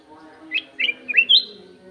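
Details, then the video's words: Golden-fronted leafbird, kept in an aviary, gives four loud clear notes in under a second and a half, each sliding upward, the last a longer high whistle, with a faint low hum beneath. "BURUNG CUCAK EMAS SUARA JERNIH"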